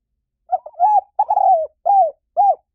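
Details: Spotted dove (Spilopelia chinensis) gives a soft, hoarse cooing phrase: a stuttering run of notes, then two rounded, arching coos about half a second apart, with no other sounds.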